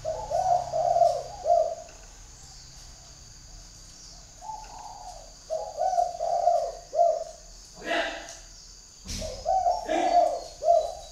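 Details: Decoy spotted dove in northern Vietnam calling out to wild doves: repeated low cooing phrases of three to four notes, a few seconds apart, with a couple of sharp clatters in between.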